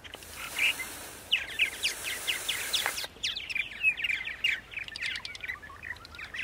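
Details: Purple martins on an April morning in Center Moriches, Long Island, New York. After a hissy start, a lively tumble of croaking chirps and warbled notes runs on without a break.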